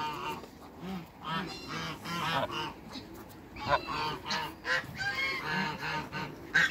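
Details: Couple of Toulouse geese at a Greek waterbird farm meeting one another, giving a continuous chorus of harsh, overlapping nasal honks in irregular bursts, louder toward the end.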